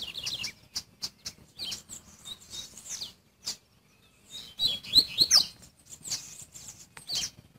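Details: Adult male Double-collared Seedeater (coleiro) singing the Mateirinho song type strongly: bright, high chirped notes and quick slurred whistles in bursts, with short pauses and a dense run of rising and falling notes midway.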